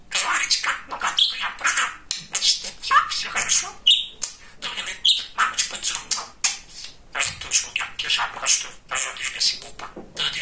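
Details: Pet male budgerigar, very talkative, chattering; continuous scratchy speech-like babble with short whistled chirps and brief gaps.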